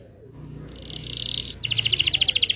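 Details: Local Indonesian canary song for young or silent canaries, partly masked by a low hum: a faint buzzy trill, then a loud, fast rattling trill of repeated notes at the end.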